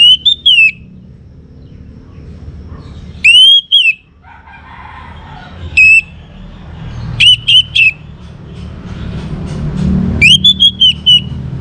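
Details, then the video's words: Orange-headed thrush, young, from Singaraja, North Bali, singing so other birds will sing: five short bursts of bright, slurred whistles spread across the stretch, with a soft low rumble between. "ANIS MERAH Muda Gacor Untuk Pemancing Burung Berani Berkicau"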